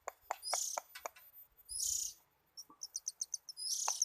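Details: Relaxed oriental magpie-robin mixes sharp clicks, hissing high bursts and a rapid string of bright staccato notes, closing with another raspy burst.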